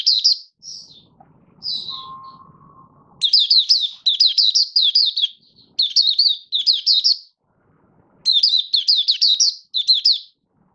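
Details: Hobby-kept Malaysian Mata Puteh (Oriental white-eye), not in form, in opening buka sing: short chirps, then three long bursts of rapid, high, jumbled warbling notes, and a brief low hum midway.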